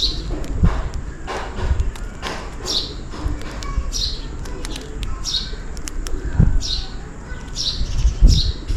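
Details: Sparrows calling for food in the rain give high, clipped chirps in a loose series, about one per second, with a heavy low rumble and occasional thumps underneath.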